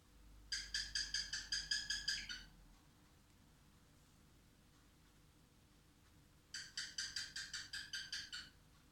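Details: A young male white-faced pet cockatiel sings two bursts of quick, bright, evenly repeated chirping notes, a song learned from a phone ringtone.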